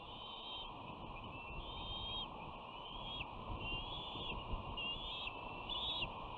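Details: At a West End nest camera, 13 June 2019, young bald eagle sisters clash as one pins the other's wing with a foot. High, thin whistles repeat about once a second in short level or slightly rising strokes over constant hiss.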